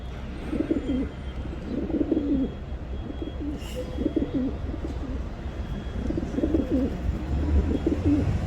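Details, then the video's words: Repeated throaty coos from a pigeon, roughly five bubbling phrases about one and a half seconds apart, with a brief faint hiss and low background drone. "Pigeon sound Effect"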